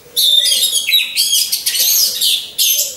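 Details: Caged orange-headed thrush hung in a row with others as a lure singer: a dense, continuous rush of bright, high twittering and scratchy notes in three long bursts over a faint low hum.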